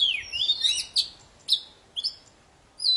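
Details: Very lively song of an Oriental magpie-robin (poci form), used by keepers to prompt silent birds to sing again: high whistled phrases sweeping down, then short sharp notes separated by brief pauses.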